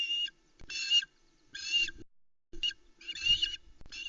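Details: Three osprey chicks on a Loch Arkaig nest, early morning 16 July 2020, calling out as the male brings the first fish since noon the day before; four long, shrill squeals spaced roughly a second apart.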